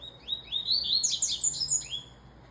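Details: Double-collared seedeater song: a rapid series of high whistled notes that rise in steps, accelerating into a bright, slurred flourish before trailing off.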